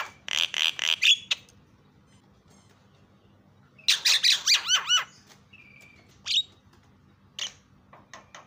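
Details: Starling (jalak) song used to goad silent caged starlings into singing: a fast run of harsh rasping notes, a pause, then a burst of rising and falling slurred whistles, followed by scattered short notes and a brief flat whistle.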